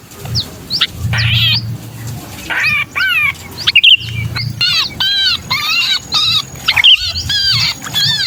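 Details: Kutilang kejepit, the pinched distress call of a sooty-headed bulbul used as a lure: repeated short, rasping squawks in quick bursts, some descending in pitch, with intermittent low rumbling.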